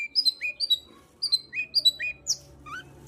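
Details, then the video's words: Long-tailed shrike song used to coax singing: quick mimicking sequences of high sliding whistles and chirps in short bursts, some rising, some falling, with brief pauses. "Pancingan Cendet Gacor Untuk Menaikkan Birahi cendet Malas Bunyi"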